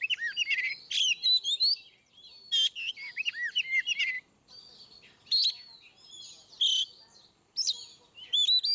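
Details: Ngeplong-style Oriental magpie-robin song meant to get quiet birds singing: continuous rich whistled phrases with looping, rising and falling notes, interspersed with harsh scratchy bursts, pausing briefly between bouts.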